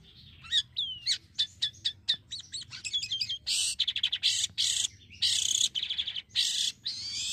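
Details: Black-winged myna singing energetically as a lure for other mynas: a string of sharp squeaky whistles repeated quickly, then loud broad harsh rasping bursts alternating with chatter over a faint low background hum.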